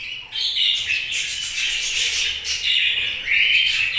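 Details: Budgerigars chirping: a continuous, dense warbling chatter of high, scratchy notes with brief rising whistles, barely pausing across the stretch.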